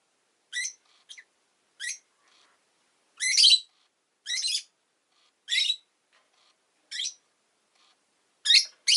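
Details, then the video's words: Harsh, high chirps of a rosy-faced lovebird, single notes mixed with a few longer raspy calls, coming roughly every second, with faint soft notes between. "Lovebird Chirping Sounds"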